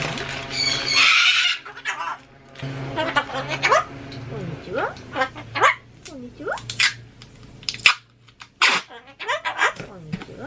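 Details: Pet Ducorps's cockatoo, which dislikes sounds louder than itself, repeatedly chatters short words in a raspy, speech-like voice with swooping pitch, countering renovation construction noise; a harsh noise burst opens, low machine hum beneath.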